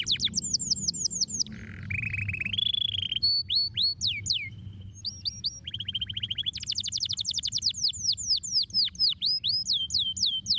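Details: Stimulating canary song with changing tours: quick repeated high sweeps, a lower rolling trill, steady whistled notes and rapid chirping rattles, continuous throughout with a soft low hum behind.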